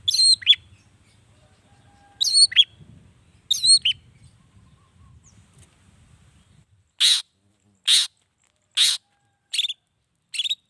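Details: Long-tailed shrike singing to draw answers from other shrikes; three squeaky down-slurred whistled phrases, then a series of loud harsh rasping bursts nearly a second apart.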